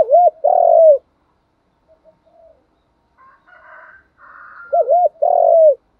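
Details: Decoy spotted dove calling non-stop to bring in wild doves. A loud arched coo and a longer coo open the clip, then faint distant cooing and higher notes follow before a wavering double coo and a drawn-out coo return.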